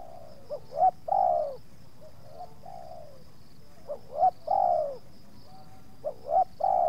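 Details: Spotted doves calling at a yard visited by two wild birds drawn to a decoy dove; three repeated phrases, each of quick clipped notes rising into a long mellow falling coo, roughly every two and a half seconds, over a faint high hum.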